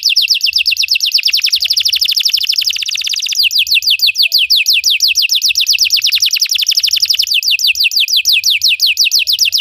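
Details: Belgian canary song for training canaries to sing: a long unbroken series of rapid, sharply descending notes, the pace shifting slightly midway into a denser, brighter rolling sequence.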